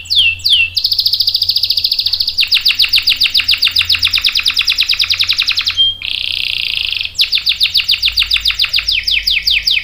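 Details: Vigorous canary song: two quick slurred notes, a buzzy trill, then a long run of rapid repeated sweeping chirps, a brief rolling buzz and more fast chirp series.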